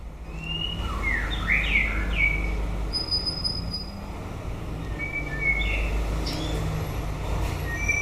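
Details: White-rumped shama singing at the end of the breeding season: clear whistled phrases sliding between mid and high pitch, some rising, some falling, spaced through the clip over steady low background rumble.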